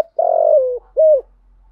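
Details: Part of a spotted dove's thổ thúc lure coo for calling wild doves: a long buzzy coo that drops slightly in pitch, then one rounded hollow coo, over a faint low hum.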